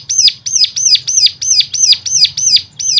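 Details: Bird song used as a stimulation sound to set other birds singing: a fast, steady series of sharp, high, downslurred whistled notes, about three per second, over a faint low hum.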